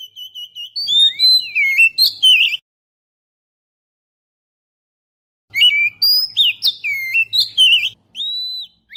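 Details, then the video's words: Lure song of an Oriental magpie-robin for attracting birds: bursts of rich whistled and chattering notes, rising and falling, separated by a silent gap of about three seconds, with a faint low hum under the second burst. "suara pikat burung kacer"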